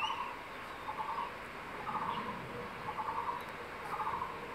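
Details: Male crested goshawk, nesting in secondary forest, calls his mate over to a freshly caught tree lizard. Five quick stammering bursts sound roughly once a second against a steady hiss.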